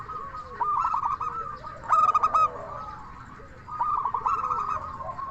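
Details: Local zebra dove in 'crystal voice' style, meant to make other zebra doves answer: a loud, clear coo burst in the middle, framed by softer bubbling, trilled coo phrases that overlap one another.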